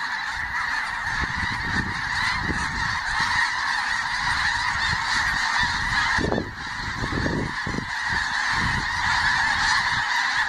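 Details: A large flock of geese passing overhead before sunrise in Canada, giving a constant wash of overlapping honking calls, with several louder, closer honks standing out midway and low rumbling noise beneath.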